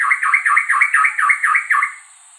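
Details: White-rumped shama song, sung by the male to attract a mate: a fast series of about eight swooping, V-shaped whistled notes repeated evenly, then silence.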